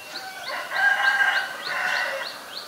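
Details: Black-collared starling recorded in Ubon Ratchathani, Thailand, on 17 April 2022, giving loud, harsh, rasping calls in two bursts of about half a second each. A thin, high chirp repeats about three times a second in the background.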